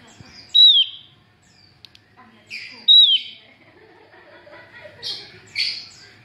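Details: Female Javan grey-throated white-eye calling to lure males, two loud downslurred whistles about two seconds apart with buzzy tails, then rougher harsh notes and faint chirps.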